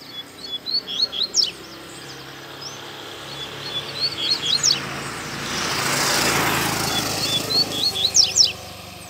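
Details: Loose in a public square, a double-collared seedeater sings hard in quick high-pitched bursts of chips and steep down-slurred notes, while a passing car swells into a broad rushing roar midway through.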